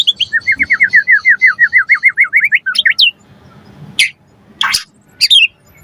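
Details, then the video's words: White-rumped shama singing to provoke other birds, for song training: a long, rapid run of identical downslurred whistled notes, then several sharp, isolated high calls separated by short pauses. "Pancingan Murai Batu Langsung Nyaut Auto Bunyi Cpt Gacor Full Isian Buat Masteran Suara Burung Murai"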